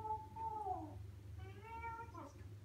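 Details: Pet African grey parrot, 16 years old, talking indoors at Christmas; a short run of clear, tonal, voice-like syllables, first sliding downward, then a brighter phrase with several steady notes, over a low room hum.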